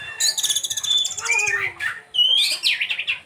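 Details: Oriental magpie-robin (Copsychus saularis), mimicry song.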